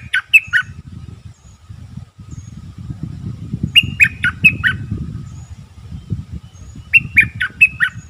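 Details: Decoy Streak-eared bulbul giving short, sharp, chattering phrases of three to four notes in repeated bursts over a steady low rumble of traffic-like background noise.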